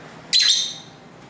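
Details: Lovebirds singing and talking to each other near a home by a main street, captured on a camera's internal mic: one short, harsh, shrill chirp that bursts out loudly and fades within half a second over a faint steady background hiss.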